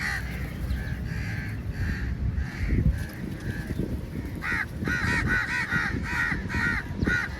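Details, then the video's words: Many crows at feeding time, a large flock crowding onto food: a dense run of overlapping harsh caws, building to rapid bursts in the second half, over steady low rumbling noise and scattered thumps. "Crow Sounds Very Loudly"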